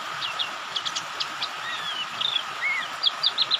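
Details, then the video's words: White-eye lure sound meant to make white-eyes open their beaks and sing, mixed with rain sounds: short high chirps and thin whistled slurs, some rising or falling, then a quick run of repeated chirps near the end over a steady hiss. "Suara Pleci Pikat,bikin Pleci jadi Buka Paruh, Ngriwik,Ngalas dan Gacor."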